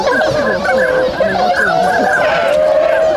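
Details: A swan flock stirring awake in Inzai, Chiba, Japan, 16 January 2022; constant overlapping honks with a few sliding, wavering notes standing out from the massed chorus.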